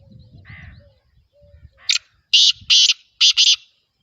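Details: Home-bred black francolin (kala teetar) calling: a harsh, grating phrase of about five loud raspy notes grouped in quick pairs, preceded by faint low murmuring.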